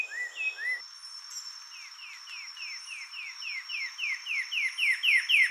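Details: Carmiol's tanager song: a couple of slurred whistles, then a fast even series of short descending chips, about four a second, growing louder, over a constant high insect drone.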